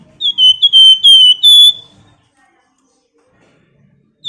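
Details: Female flamboyan bird calling to a male, 'nyiul' style: four or five loud, piercing whistles in quick succession, each sliding slightly downward, followed by a long silence and the start of another note.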